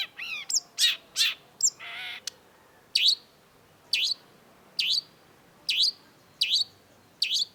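A Long-tailed Shrike opens with a quick jumble of varied notes and one harsh buzz, then gives sharp, high, downslurred chirps roughly every three-quarters of a second.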